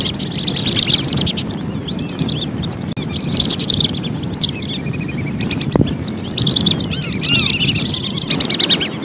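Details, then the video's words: Lesser whistling duck calls used as a hunting lure: bursts of high, rapid whistled notes in short falling series, repeated several times over steady low background rumble, with a brief click partway through. "suara burung belibis"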